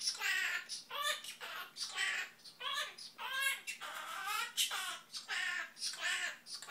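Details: Pet Quaker (monk) parakeet indoors singing mimicked tunes, including the SpongeBob theme. A rapid run of harsh, speech-like syllables, about one per second, squawky and nasal with rising and falling pitch. Some music plays faintly in a small room.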